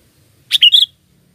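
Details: Lure recording of a sooty-headed bulbul: a single quick phrase of three liquid whistled notes, the last slightly drawn out, against near silence.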